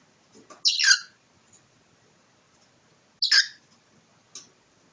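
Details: A cockatiel in a playful fight with its owner gives two loud, harsh, hissing squawks about two seconds apart, then a short faint chirp, with light rustling underneath.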